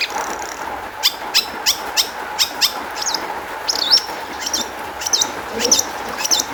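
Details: Long-tailed shrike lure song intended to make other shrikes sing; a string of evenly repeated thin high ticks, then looping whistled notes and scattered sharp chirps over a faint hum.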